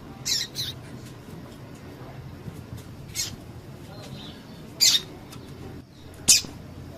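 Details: Female double-collared seedeater calling, a call used by breeders to excite males into singing for song tournaments; five short, thin, high chips, a couple doubled, spaced irregularly one to two seconds apart over a soft steady hiss.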